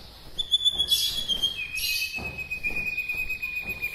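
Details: White-rumped shama from Bahorok, Medan, whose song stirs up other shamas: a long, pure sustained whistle, held high then dropping to a lower steady tone, with brief rough bursts and faint chirps behind.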